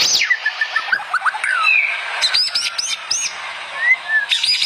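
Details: White-rumped shama song from a compilation of lively singers used to train other shamas: quick high slurred whistles and sharp up-and-down notes over a hissy background.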